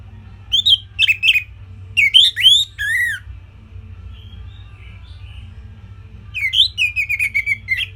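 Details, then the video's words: Orange-headed thrush singing as a training recording for songbirds: short bursts of bright, sweeping whistled notes, a pause with faint distant chirps, then another fluttering phrase of rapid up-and-down whistles, over a low steady hum. "Kicauan Simpel ANIS MERAH"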